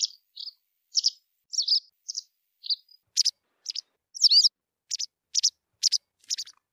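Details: White wagtail singing a string of short, high chirps, some sharp and clipped, others slurred and twisting, spaced about half a second apart over a silent background.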